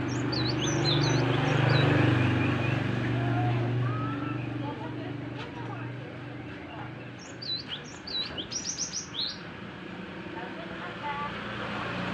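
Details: Young Java sparrow giving quick bursts of thin, high chirps, one burst at the start and another near the end. A heavy low rumble of traffic and nearby voices runs underneath throughout.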